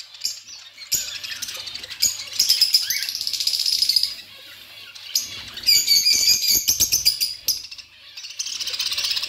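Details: Budgies chattering continuously in high, buzzy warbles mixed with rapid ticking chirps, rising to two louder stretches, with faint clicks and a low hum beneath.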